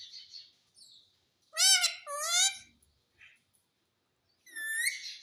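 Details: Talking parrot saying "mummy", with two loud harmonic voice-like syllables, then a short quiet note and a further rising spoken sound; quiet indoor setting.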